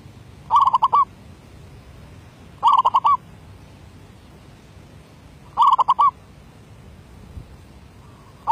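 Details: Decoy zebra dove from 2019 with derak labuh song: three clipped, rapid cooing phrases, each a quick string of about five beaded notes, separated by gaps of two to three seconds, with quiet low hum behind.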